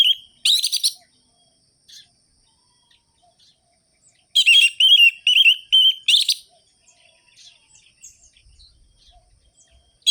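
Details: Energetic orange-headed thrush singing, recorded to prompt idle thrushes into song; bursts of loud whistled and warbled phrases mixed with scratchy high notes, separated by pauses of several seconds.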